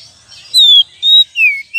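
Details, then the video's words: Oriental magpie-robin lure recording, with three clear whistled notes: a long falling slur, a steady high note, then a descending whistle, each separated by a short pause. "pancingan kacer"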